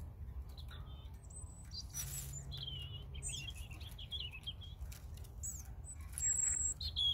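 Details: European robin song of high, tinkling phrases, with rapid descending trills and thin whistles run together, followed by a few piercing high notes near the end; low background rumble throughout.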